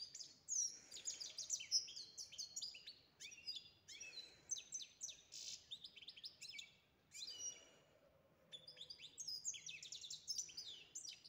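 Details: European goldfinch singing a fast, dense twitter of high, bright chirps and short buzzy trills, delivered in rapid bursts with a brief pause near the middle before the twittering resumes.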